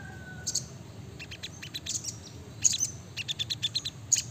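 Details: Brown-throated sunbird, known locally as sriganti, heard more distantly: a loose series of thin high chirps and ticks at an uneven pace against a noisy background.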